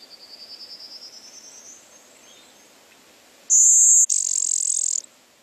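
Blue-winged Warbler gives two harsh, buzzy notes: a high, thin buzz, then a lower, rougher one, like blowing raspberries. A faint rising whistled series comes before it.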